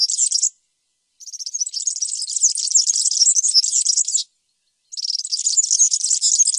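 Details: Repeated high-pitched jingling phrases of a European serin, with a three-second fast, buzzy twitter between shorter bursts, separated by brief pauses and with no other sounds.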